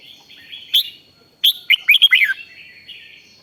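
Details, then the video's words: Thai red-whiskered bulbul giving a rik-style phrase to excite other bulbuls: a soft thin note, then a quick burst of bright, downward-slurred chirps. "เสียงนกกรงหัวจุก ร้อง ริก ยั้วให้นกคึกดีมาก"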